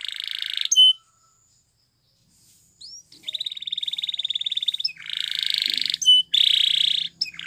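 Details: Canary training song in Spanish Timbrado style, made of loud buzzy rolling trills broken by short chirps and a silent gap of about two seconds, with a faint low hum underneath.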